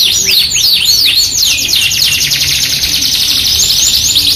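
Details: Yorkshire canary, an actively singing bird used to tutor and lure other canaries, opening with looping arched whistles repeated about three times a second, then breaking into a rapid, sustained high buzzing trill.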